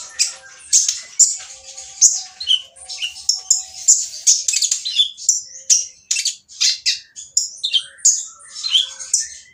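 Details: Coarse, energetic olive-backed sunbird song used to provoke silent birds into singing: a nonstop jumble of harsh high chips, buzzes and brief falling whistles, delivered several notes per second.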